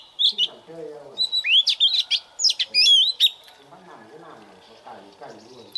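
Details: Oriental magpie-robin youngster practising its morning song in a fast lively burst of whistles, looping slurs and chirps, followed by quieter low rustling and murmuring sounds.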